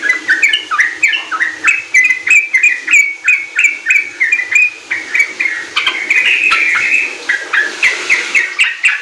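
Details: Sooty-headed bulbul in full, lively song, used as a lure to get young kept bulbuls singing the riwik and ropel styles. Bubbly, fluty notes run in rapid, overlapping phrases about three per second, with faint high ticking behind.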